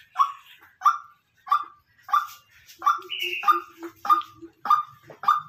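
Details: Natural calls of a white-breasted waterhen: a steady run of clipped, throaty notes repeated roughly every 0.6 seconds, with a higher buzzy note and a thin sustained tone overlapping midway.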